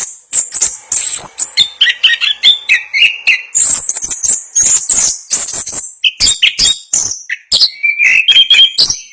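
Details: Orange-headed thrush, a contest bird in Indonesia, singing a fast, dense rolling song style called ngerol: rapid high chirps, sharp notes and short whistled phrases packed together with barely a pause, loud and continuous throughout.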